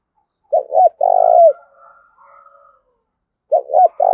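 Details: Spotted dove, 'thổ đồng' voice, giving 'gù thúc' and 'gáy gọi' coos: two short coos and a long burry coo, soft higher trailing tones, then the phrase restarting after a pause.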